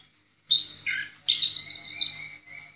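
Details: Orange-headed thrush tutor song in the clear, open "ngeplong" style: two rich, high phrases, a brief slurred opening then a longer run of rapid, bright warbled notes, with faint low hum behind.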